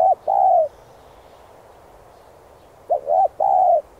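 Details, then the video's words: Spotted dove repeating its decoy-training song: the tail of one phrase ending in a long slurred coo, a pause of about two seconds, then a full three-part phrase of hollow, mellow coos. "Cu gáy THÚC giọng sát bổi kích mồi tập bổi"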